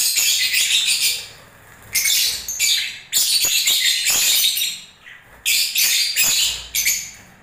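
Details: Lovebirds during breeding season, giving bursts of harsh, high chattering squawks in dense clusters, several bursts separated by brief pauses of a second or less.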